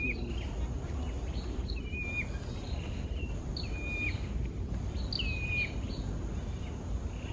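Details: Wild hill prinia, one of a breeding pair, singing loud whistled notes that slur downward, some with a brief high upper note, given in bursts through the seven seconds. A strong low rumble of wind or traffic runs underneath.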